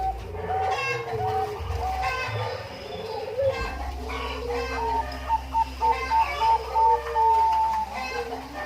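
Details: Zebra dove, Bangkok type, recorded at Umbaran: a clear run of short repeated cooing notes in the later half, ending in a longer held note, after a noisy opening with chickens and low rumble.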